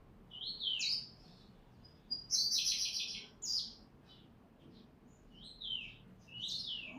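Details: White-rumped shama from Bengkulu, Sumatra, singing in bursts: slurred whistled phrases dropping in pitch, a dense loud volley of rich notes, then further swooping whistles, over soft background noise.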